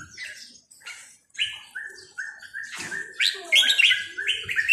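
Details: Counting-flowers (sai nap dok) style song of a Red-whiskered bulbul, beginning with scattered soft chirps, then a chain of steady level whistled notes that build into louder, richer warbled phrases toward the end.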